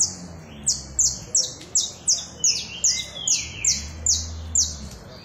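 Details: Saffron finch in continuous song: high, clipped downward-sliding notes repeated roughly every half second, evenly spaced, with a softer lower twittering between them and low background rumble.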